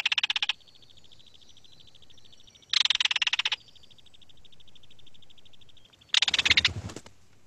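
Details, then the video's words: Belted Kingfisher, very noisy, found around marshes in southern Quebec: three loud, dry, harsh rattles, each under a second, with a faint steady high hum between them. "And on the other end of the scale is the very noisy belted kingfisher."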